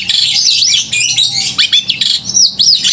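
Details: Vigorously singing long-tailed shrike with a clear, loud voice, played to stir emotion and mating urge in other shrikes; shrill arched whistles and quick slurred notes pour out without pause.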